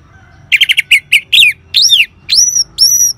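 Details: Orange-headed thrush singing as a lure to get caged birds singing: a fast run of short chattering notes, then slurred downward whistles and two high, sharp phrases, with low hum underneath.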